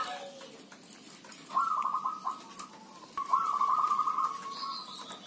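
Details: Zebra doves calling in a lively chorus: two stretches of fast, rolling staccato cooing trills, steady in pitch, with a higher thin whistle from another bird near the end and a faint background hiss.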